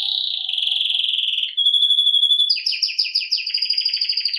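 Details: Serinus canaria, a canary singing for training: a fast buzzy roll, a steady pure whistled note, then a series of rapid repeated sweeping chirps, high and clear without other sounds.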